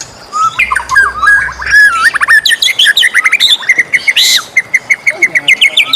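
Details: White-rumped shama in morning song, a rich varied medley of chirps, trills and whistled notes, ending in quick repeated rising whistles, loud and close.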